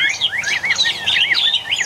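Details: Chinese hwamei, one of eight wild-type caged birds newly brought in, bird number one, singing fast looping whistled phrases that rise and fall rapidly, continuous and loud throughout.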